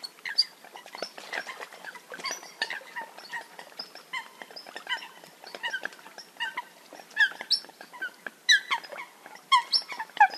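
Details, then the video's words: A flock of Eurasian coots makes a continuous mix of short nasal calls, recorded for hunting use. Louder, sharp, downward-sliding notes grow more frequent toward the end. "Eurasian Coot (Fulica atra) Real Hunting Call Sound"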